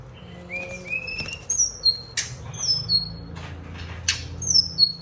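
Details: White-rumped shama singing as a child plays with it: very high, thin, clear whistles in short slurred notes, several sharp snapping clicks, and low rustling underneath.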